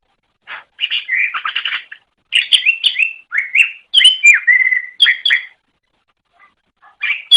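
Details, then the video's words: Greater green leafbird (cucak ijo) master song used to train songbirds: bursts of fast chattering and slurred whistles, including a drawn-out level note, separated by short silences and ending with a fresh burst. "Ocehan Suara Burung Cucak Ijo"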